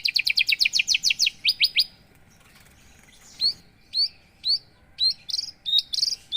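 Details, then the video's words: Javan bush lark of the 'paksi aji' line opens with a fast string of rising high chirps, falls quiet, then gives spaced, sharp upslurred whistles and short buzzy notes. "Kicau branjangan mr koko ( paksi aji ) sangat ajib"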